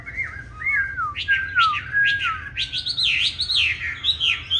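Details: Chinese hwamei with green-bean eyes singing its fighting song, used for training hwamei to sing softly: flowing liquid whistles that glide up and down, then a rapid series of jumpy, warbled high notes.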